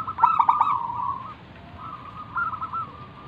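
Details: Zebra dove, a local wild bird, in full manggung song used to coax other doves to sing: a quick stuttering burst of notes runs into a drawn-out rolling trill, followed by a softer fluttering trill.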